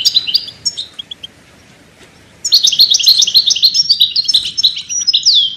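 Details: ['European goldfinch song for songbird training: a few quick chirps, a brief pause, then a long, continuous twittering run of fast, rising and falling trilled notes, ending on a downslurred whistle.']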